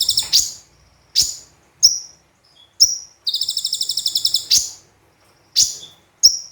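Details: Brown-throated sunbird (konin) in full song with mimicked phrases, used as a tutor recording: sharp high downslurred chips alternating with a fast buzzy rattle of about a dozen even pulses.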